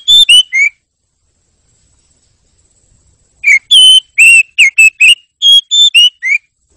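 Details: Oriental magpie-robin singing, in a recording meant as mental therapy to keep the bird singing strongly for hours: bright, clear whistled notes, some rising and some falling, in two bursts separated by a three-second silence, with brief harsher chattery phrases.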